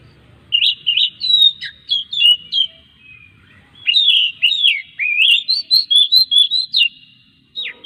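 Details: Oriental magpie-robin song for drawing other magpie-robins into song: two long runs of quick, bright whistled notes with swoops and downslurs, joined by thin sustained tones, over a quiet background.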